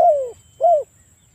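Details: Spotted dove coo used as a lure to make a rival call back: a drawn-out falling coo followed by a shorter arched coo, low and mellow, with a faint steady high whine in the background.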